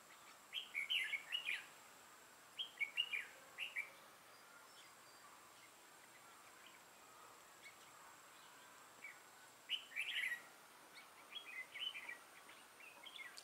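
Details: Red-whiskered bulbul used as a decoy to trap wild birds, recorded 6 November 2018: short bursts of bright, warbled chirping notes come in clustered phrases separated by pauses of a few seconds, over a steady faint hiss.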